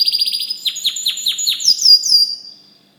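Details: White canary singing: a fast series of bright chirps, then a run of descending swept notes about every quarter second, ending in high whistled slurs before fading out.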